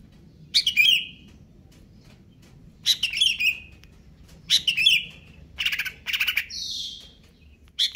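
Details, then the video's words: Caged greater green leafbird, stated to be in stable condition, singing aggressively: loud buzzy squawked phrases each ending in a level whistled tail, repeated about every two seconds, then a broad hissing note. "cucak ijo konslet kejer nembak"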